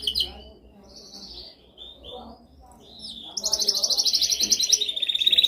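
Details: Canary training song with scattered high whistled notes, then a loud rapid buzzing trill from the middle onward, repeated about every quarter second and ending in a steady high rattle.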